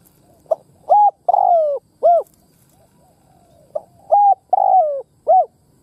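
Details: Kept decoy spotted dove cooing to provoke wild doves into calling: two clear phrases of four soft, hollow coos, a short note, two rounder coos and a longer drawn-out sliding one, separated by a quiet pause.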